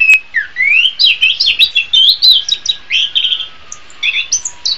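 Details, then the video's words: Orange-headed thrush (anis kembang) master song for training cage birds, singing a rapid, unbroken stream of varied whistles, slurs and chirps, each phrase changing quickly and pitched fairly high, with no other sounds. "SUARA BURUNG - Masteran Terbaik Anis Kembang"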